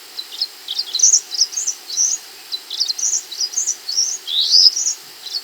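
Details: Scarlet minivet, known locally as sepah hutan, singing actively on a recording meant to train other songbirds: thin, high chirps and short rising-falling whistled notes in quick, irregular bursts, no other clear sounds.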